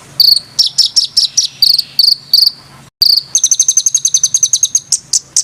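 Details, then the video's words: Rough, tight-rolling bird song meant for training competition fighter birds: choppy, high chips that break off and restart after a brief gap, then a fast, even trill of shrill notes ending in a couple of upslurred whistles. "ROLL RAPAT KASARAN || TEMBAKAN Kasar Untuk BURUNG FIGHTER"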